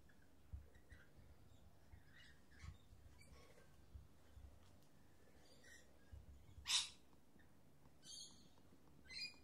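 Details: Mating pair of lorikeets perched on top of a computer monitor, trying to share a couple of grapes; scattered faint chirps and short harsh squawks, with one louder screech about two-thirds through and more squawks after it.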